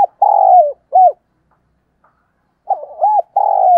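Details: Decoy spotted dove calling in the morning, a long level coo ending in a fall and a short arched note, a pause, then the phrase repeats with short stuttering notes leading into another long coo.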